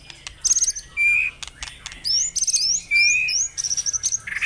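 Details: White-rumped shama, morning dew-bathing, played to spur caged birds into song: separate high, thin whistled phrases, some rising, some level, with short chip series near the end and quiet gaps between.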